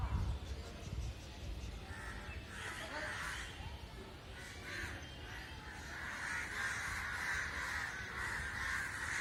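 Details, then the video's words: Crows massing in an unexplained gathering; after a few seconds of low thumping noise, a crowd of birds breaks into loud, overlapping harsh caws that build and continue steadily. "Why Crow's gather, making sounds"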